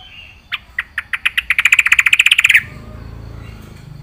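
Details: Trucukan, or yellow-vented bulbul, singing in full 'isian' style: an accelerating series of about twenty loud, evenly pulsed chirps lasting two seconds, then stopping abruptly into low background noise.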